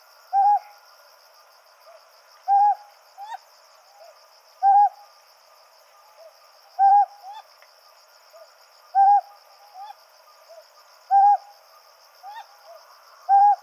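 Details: Male and female Ryukyu scops owls call back and forth on a Yaeyama Islands night. Short, husky hoots repeat regularly about every two seconds, six in all, with softer, higher answering notes in the gaps and a constant shrill hum behind.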